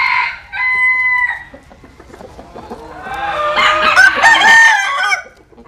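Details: Rooster among Asil and Cuban-type cocks sunbathing in the Mekong Delta, Vietnam: a clear, steady harmonic crow opening, then low clucking, then a rising, wavering second crow from a neighbouring cock.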